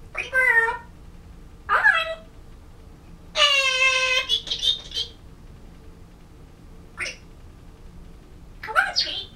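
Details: Pet African grey parrot trying to sing a Disney song and practicing words, November 2011: short voiced syllables, one sustained harmonic note near the middle, and scattered brief clicks and chirps in a quiet room.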